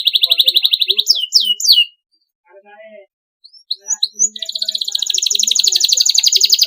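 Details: Canary, a domestic songbird, in a training song recording of long, clean, vigorous song for morning, midday and night: high rapid trills, a few swooping whistled notes, a brief pause, then a fast buzzy rattling trill.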